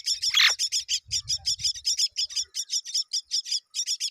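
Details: Myna chicks being fed as both parents arrive at the nest: a fast, steady train of short, high, scratchy chirps, about three per second, with one louder harsh squawk near the start and a faint low rumble.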